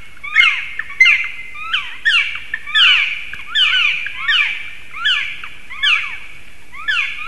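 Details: Black woodpeckers in Latvia, two arriving at a black stork nest and a third joining, 30 March 2021 at 9:55 am, a possible territory struggle. Loud, harsh, ringing calls repeat in a rapid uneven series, roughly one every half second.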